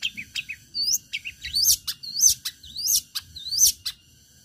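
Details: Long-tailed shrike in a sharp, combative singing bout meant to provoke other shrikes into singing: loud, varied chirps and rising whistled upslurs in quick succession, with short harsh notes in between. The background is quiet.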